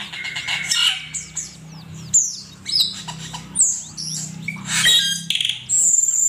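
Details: Asian pied starling singing for a songbird training recording, dense high chattering mixed with clear whistled notes and harsh squawky accents, a steady low hum underneath.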